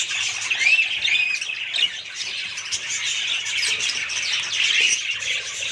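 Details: Several budgerigars warbling at once, overlapping high chirps and short rising whistles forming a steady, busy chorus.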